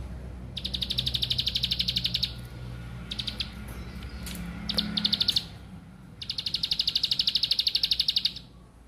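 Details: Bar-winged Prinia (ciblek sawah) giving long, high, rapid buzzy trills lasting about two seconds each, with short broken bursts between, over a low background hum; used to prompt other birds to sing.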